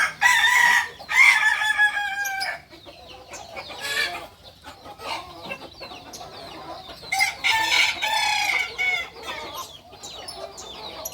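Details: Kukuak balenggek chicken from Solok, West Sumatra, crowing: two loud harsh crows at the start, quieter clucks and chirps, then another long multi-part crow, with other birds in the background.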